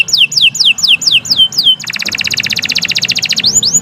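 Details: Canary song meant for training young singers: six separate sweeping downward whistles, then a fast, buzzy trill of evenly repeated notes that ends in two further sweeping notes.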